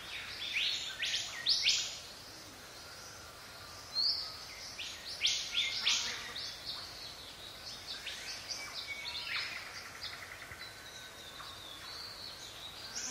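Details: Morning inside rainforest, paradise riflebird giving loud rasping calls: several harsh broadband bursts in quick groups, then quieter scattered notes, amid other birds' chirps and constant forest background hiss.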